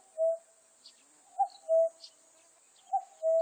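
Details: Common cuckoo in a 2020 recording calling cuck-oo repeatedly, about every 1.5 seconds. Each call is a brief higher note, then a longer mellow lower note, with scattered faint chirps and a constant high hiss.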